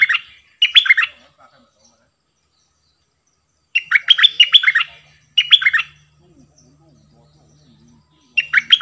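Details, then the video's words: Repeated phrases of cream-vented bulbul double song, 18 June 2021: short bursts of chattering liquid whistles separated by several seconds of quiet. "เสียงนกดอกแตงEp.59 Birds sounds เพลงเบิ้ลของเจ้าเพชร!!Merbah lekir gacor"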